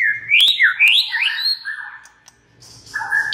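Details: Rapid looping whistles from a white-rumped shama, sung to provoke other shamas, sweeping up and down, then a steadier low phrase and a short pair of paired notes after a brief gap.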